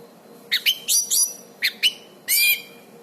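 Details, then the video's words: Orange-banded thrush, recorded as a master song for training birds; clipped, bright notes in pairs, then a longer slurred upward whistle near the end. "suara anis cendana gacor"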